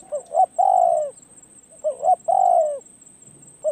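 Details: Spotted dove decoy bird practising on its perch repeats a cooing phrase twice: quick double note, then a sustained falling coo, about one phrase every two seconds.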